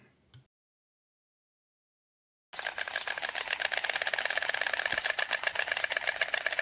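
A White Stork clatters its bill in a rapid, dry, wooden rattle that runs steadily for about four seconds. A brief soft noise comes before it.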